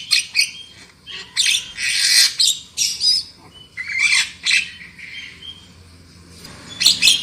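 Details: Black-winged myna song played as a lure so birds sing loudly: bursts of harsh chattering and squeaky notes separated by quieter stretches with faint whistles, and a steady low background hum.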